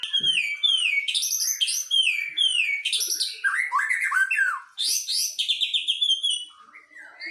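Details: Singing duel of white-rumped shamas, one from Medan and one from the forest of Nias: rich clear whistles in quick descending slurred notes, repeated in rapid series with trills, bright and loud throughout.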